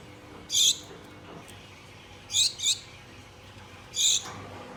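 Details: Pet Gouldian finches, a pair kept at home, calling mate: three high thin call bursts, the middle one a quick double note, separated by quiet gaps over low background hum.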